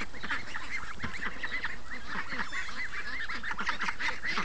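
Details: A flock of free-range ducks coming up in the morning after hearing water running, giving quick repeated nasal quacks that overlap into a constant, even racket.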